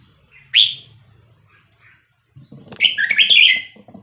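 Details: Vietnamese red-whiskered bulbul singing in the 3-4-5-6-7 style, played to train young birds and rouse them. A single sharp rising whistle, then after a pause a fast tumbling warbled phrase, over soft tapping.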